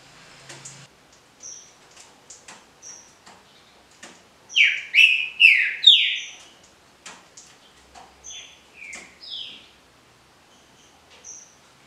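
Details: Green-winged saltator singing in the style called Paraná liso batido: three loud, rich, slurred whistles falling in pitch mid-clip. Around them are sparse high thin notes and soft clicks in a quiet setting.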